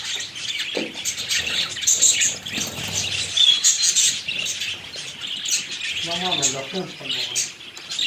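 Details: Captive budgerigars, or parakeets, seen close up; steady high-pitched warbling chatter with sharp chirps, and a brief burst of lower rapid squawking notes near the end.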